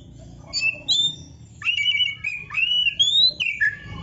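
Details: Oriental magpie-robin, locally kacer, singing a tutor song meant for songbird training: spaced, clear whistled phrases, some long and level, others sliding up or down, with faint background hum.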